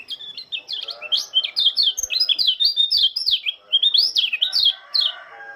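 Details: White-eye of Lombok singing in the early morning dew: a lively, unbroken stream of high, rapidly rising and falling chirps and twitters, loud and energetic throughout.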